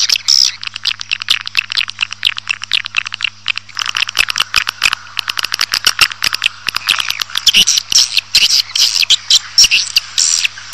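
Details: Swiftlet sound used to bring a colony into a building: long, rapid rattling of dry clicks and rasping chatter, nearly continuous, with brief high chirps near the end and a low hum beneath.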